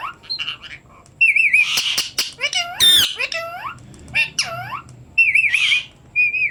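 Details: Pet parrot saying the greeting "Assalamu alaikum": harsh squawks mixed with bright whistled notes and gliding, speech-like harmonic sweeps, arriving in short bursts separated by brief pauses.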